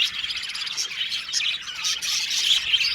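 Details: Budgies of an aviary colony chirp and warble in a fast, overlapping chorus, bright high notes repeating several times a second.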